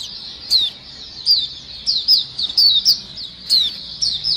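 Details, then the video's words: Group of white-eyes heard as a lure: high, thin, sliding chirps in short clusters, roughly one to two calls a second, some overlapping, with soft low background noise. "suara pikat pleci dan pancingan pleci ombyokan gacor"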